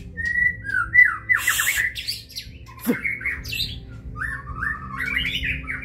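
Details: Kebyok-style song of a white-rumped shama opening with long steady whistles, then fast slurred whistles falling in steps, a sharp crack, and twittering rising phrases toward the end.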